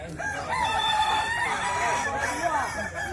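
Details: Kukuak Balenggek roosters crowing at a contest in West Sumatra. A drawn-out, level crow holds steady before breaking into shorter wavering notes, while other roosters crow behind it amid crowd noise.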